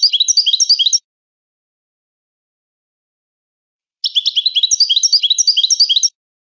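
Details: Song of a Moroccan goldfinch: fast, jangling high twitters, one short phrase followed after a silent gap by a two-second run of bright chirping notes, clean background.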